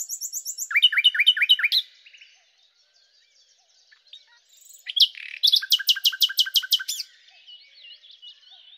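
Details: Common nightingale (Luscinia megarhynchos) singing: a fast run of sharp, repeated chirping notes lasting nearly two seconds, a quiet pause with faint twitters, then a loud burst of emphatic, evenly spaced strokes ending in soft trailing notes.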